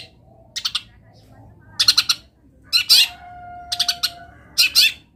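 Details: Long-tailed shrike singing with plentiful wild-bird imitations. Clusters of two to four rasping, chattering notes are separated by pauses of roughly a second. A faint steady whistle-like tone runs briefly underneath.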